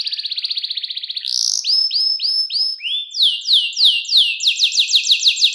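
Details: Tutor song for young canaries, a clear 'cengkok mewah' canary: a buzzing fast trill, then repeated arched whistled notes, then bright downward-sweeping notes given about three per second.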